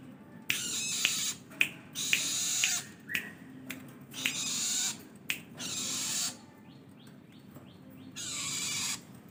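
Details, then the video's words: Long-tailed shrike delivering harsh, rasping screeches in long bursts, broken by clicks and short sharp notes, with a few quick downslurred chips near the end, over a low background hum. "BURUNG CENDET GACOR MATERI LENGKAP"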